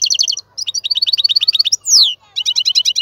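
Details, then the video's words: Adult male European goldfinch song, intended for teaching young goldfinches: quick repeated twittering notes, then a fast rattling run, a single loud downward-sweeping slur and another burst of rapid chirps, clean and without background noise. "تغريد الحسون : تغريد روعة"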